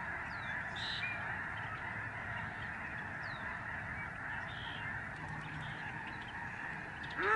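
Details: Overhead, thousands of Lesser Snow Geese stream past a protected sanctuary in Canada in November 2011. Their ceaseless chorus of mingled honks is broken by occasional clearer high calls and a sudden louder call at the end.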